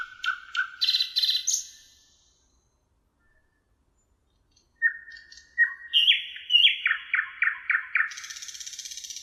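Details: Thrush nightingale singing at the Emajõgi river in Tartu, Estonia, 1 June 2018: a clicking buzzy phrase, two seconds of silence, then soft whistles leading into loud repeated sharp chocking notes and a rattling buzz.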